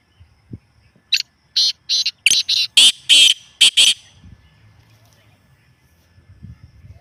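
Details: Partridge call, offered as a genuine sound to stir a kept partridge into calling more: a burst of loud, harsh, grating notes, about eight in three seconds, some doubled, then quiet with faint low rumbling.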